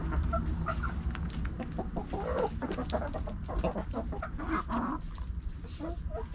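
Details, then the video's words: Backyard hens and roosters pecking and scratching; faint soft clucks mixed with dense scratching clicks and rustling over low background noise. "Backyard Chickens Hens And Roosters Pecking Scratching Sounds Noises Hens Clucking Roosters Crowing!"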